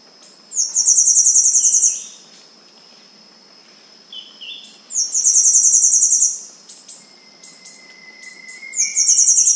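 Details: Three bursts of high, dry, buzzing song from Temminck's seedeater, about four seconds apart, each a fast pulsed trill. A steady high tone runs underneath, with a few soft whistles and a thin rising note near the end.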